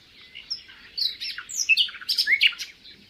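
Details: A Common Nightingale, which sings by day and night, delivers a rich song of varied notes, buzzy trills and sharp rising whistles, each phrase different from the last.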